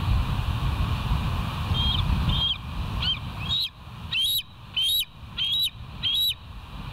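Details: West End bald eagles, early morning of 18 August 2023: a run of about nine high, sharp, whistled chirps, each note bending up then down, coming faster as the series goes on, over a low rumble that fades out.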